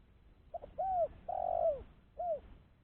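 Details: Spotted dove used as a lure for trapping other doves, giving one phrase of clean coos: a short note, a rising-falling coo, a long drawn coo sliding down, then a final short coo.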